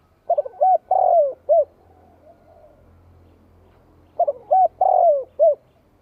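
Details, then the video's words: Spotted dove singing to provoke wild rival doves: two low cooing phrases, each with a stuttered opening, a long drawn-out coo sliding downward and a short closing coo, separated by a few seconds of quiet. "30 phút Cu gáy kích bổi nghe tức sôi máu"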